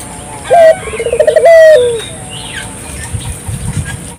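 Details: A single Barbary dove (burung puter) gacor phrase, used to stimulate local doves: a brief high note, a rapid pulsing trill and a sustained coo trailing downward, then quiet with faint low background rumble.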